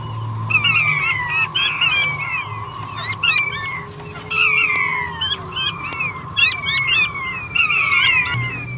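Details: Male king quail giving high descending whistled notes in loose repeated bursts, some notes upturned, over a constant droning background tone.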